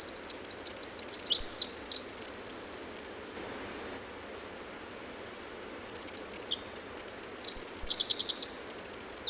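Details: Pacific wren (formerly Winter Wren) at the Hoh rainforest, Olympic National Park, June 2011, giving two long, very high, rapid tumbling runs of trills and twitters, each about three seconds, with a quiet pause between and soft background hiss.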